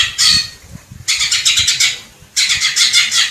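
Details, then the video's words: Greater green leafbird in Indonesian nature giving three harsh, buzzy chattering bursts, each about a second long, with faint low rumble beneath. "SUARA MASTERAN CUCAK IJO JERNIH"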